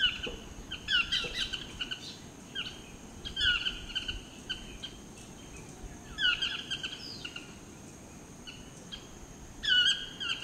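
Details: Displaying Chestnut-mandibled toucan (Ramphastos ambiguus swainsonii) in Costa Rica gives loud, yelping phrases of two or three notes, repeated every two to three seconds, over a steady high insect drone.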